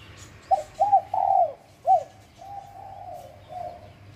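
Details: Wild spotted dove, Bang Bai Mai, Surat Thani, Thailand: two short rising-falling coos, a long mellow note and a separate arched coo. Softer, level cooing continues afterward, with faint distant chirps.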